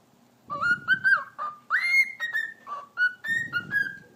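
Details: A pet cockatiel chatters the mimicked Turkish phrase 'eşek sıpası' in a reedy, whistle-like voice: about a dozen clipped syllables rising and falling over four seconds, with faint rustling beneath.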